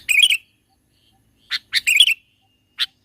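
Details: Sooty-headed bulbul singing in the mountains, recorded to lure birds; a quick warbled chirp phrase, a pause, then single sharp notes around another bubbly burst and a final short note.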